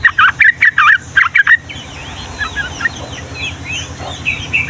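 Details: Yellow-vented bulbul in the lively, long rolling 'ropel panjang' song style called Ngombak Banyu, used to train young males and females. Harsh chattering bursts repeat rapidly for over a second, then softer twittering over a steady background hum.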